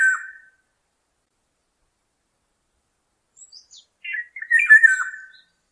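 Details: Black-naped oriole: one short harsh note, then silence, a few faint high ticks, and a cluster of mellow, fluty slurred whistles near the end. No other sounds.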